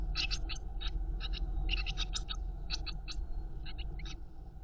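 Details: Nestling Eurasian blue tits being fed by their mother inside a nest box give rapid, hissy, high chirps in uneven clumps, with a strong low rumble underneath throughout.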